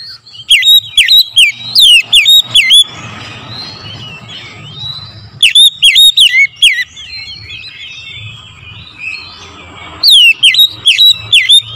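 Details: Morning magpie-robin lure recording: three bursts of loud, ringing, down-slurred whistles, each of six to eight notes, separated by quiet twittering subsong.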